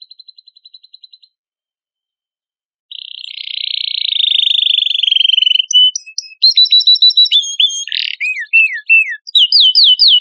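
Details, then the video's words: Canary singing, taken from a compilation used to train competition birds: a brief soft ticking series, a silent pause, then a long buzzy rolling trill followed by sharp high chirps and falling whistles. "MASTERAN KENARI GACOR FULL MATERI KOMPILASI BURUNG ISIAN JUARA LOMBA"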